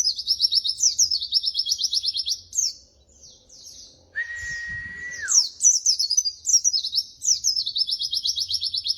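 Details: White-eye (pleci) song used as training material for other birds: rapid, high chattering trills of quick repeated notes. A long, steady, level whistled tone interrupts midway before the fast twittering resumes.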